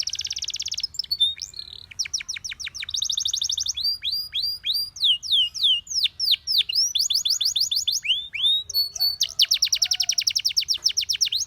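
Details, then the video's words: Canary training song: varied tours of quick repeated notes, from a dense high buzz to rows of falling whistled slurs and rapid chattering trills, changing every second or two throughout. "Your canary immediately sings when you hear this canary chirp"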